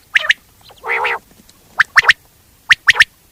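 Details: A quail gives short sharp notes in pairs and triplets, after an earlier broad, nasal, harmonic honk near the start.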